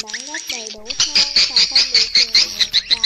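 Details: Edible-nest swiftlet flock-calling sound played outside a swiftlet house to lure birds: rapid, high, sharp twitters about two or three times a second, over low humming tones that open the clip.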